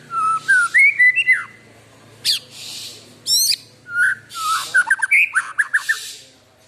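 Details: Kept white-rumped shama in full, lively song: varied whistled phrases around the middle range, rising slurred notes and quick trills, broken by short high buzzy bursts and brief pauses, background otherwise quiet.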